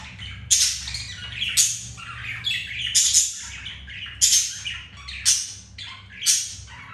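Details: Mating pet budgerigars, male paired with a second female; sharp high chirps and buzzy squawks recurring about once a second, lively and scratchy.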